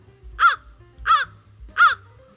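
American crow giving three harsh, hoarse caws at about 0.7-second intervals, each slightly falling, over a low background hum.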